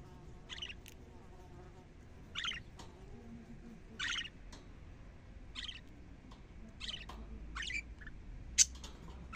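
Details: Budgerigar calls played to female budgerigars to encourage mating and egg-laying. Short, bright chirps come in separate bursts about every one to two seconds. A low hum sits underneath throughout.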